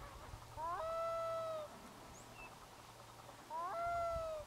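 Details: Black-throated loon giving two long, mournful calls ringing over a bay in grey mist rolling in from the sea, each sliding up quickly then holding a steady tone for about a second, with quiet background.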